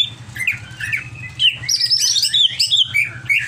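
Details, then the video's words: Greater green leafbird singing excitedly: repeated upslurred whistles, then a dense, rapid cascade of high chirps and trills, with a low hum in the background. "CIRI CUCAK IJO OVER EMOSI"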